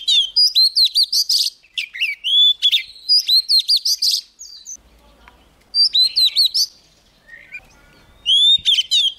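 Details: A young Oriental magpie-robin, stimulated to sing, gives loud bursts of rich, varied whistles and sharp chirps, high and fast, in three busy phrases separated by brief pauses.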